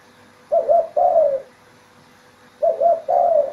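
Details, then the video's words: A spotted dove (tekukur) in an Indonesian village in the morning gives soft, mellow two-part coos, a short note then a longer falling one, repeated about two seconds later over a faint steady hum. "Suara Burung Tekukur"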